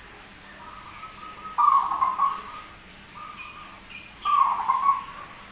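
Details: Zebra dove with an odd but prolific voice, described as rare: throbbing coo phrases with level trailing tones, repeating a few seconds apart. Several short clicks interrupt the middle.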